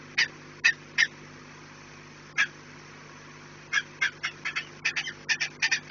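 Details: Peregrine falcon at the nest, 4 March 2019, 16:28: a few widely spaced sharp, scratchy notes, then a quickening series of harsh, clipped calls toward the end, with a faint steady hum underneath.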